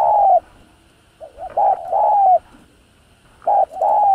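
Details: Spotted dove (cu gáy) giving its coo to stir other doves; a long falling coo, then soft quick notes leading to another drawn coo, and a new phrase starting near the end.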